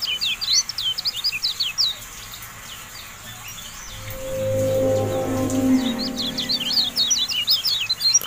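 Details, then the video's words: Kecial kuning, the Javan white-eye, in tutor audio for caged birds: quick, high twittering phrases broken by a swelling low tonal whoosh, after which the rapid chirping resumes. "MASTERAN TERBARU KECIAL KUNING"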